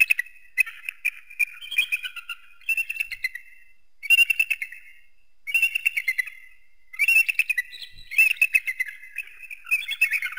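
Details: Eagle giving bursts of rapid, high chittering notes, each burst a quick run of squeaky pips that dip and rise, with short pauses between the runs.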